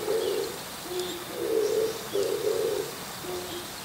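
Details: An Oriental turtle dove calling in the morning from the top of an antenna gives low, hoarse cooing notes in a steady phrased rhythm, several coos within a few seconds, with faint birdsong in the background.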